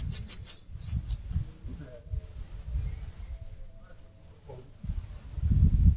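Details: Northeastern Brazil, Bananaquit at its nest in a mandacaru cactus: a short rapid series of high, thin, buzzy notes lasting about a second, followed by a few isolated high chips amid low background rumble.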